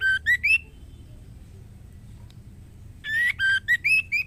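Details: A female white-rumped shama calls the male for mating with three rising whistled notes, a pause, then a longer string of about six clear whistles at varied pitches.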